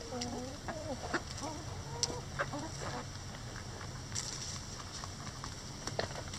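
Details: Hens in a chicken run tearing at a suspended cabbage ball as a boredom buster; a short series of warbling, bent clucks in the first two seconds, followed by sharp pecking taps and a low steady hum.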